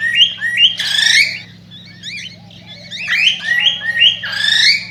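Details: Singing cockatiel, a recording meant to encourage mating: rising whistles, a loud grating squawk, wavering swooping warbles, then a string of upward-stepping whistled notes, with a constant low hum beneath.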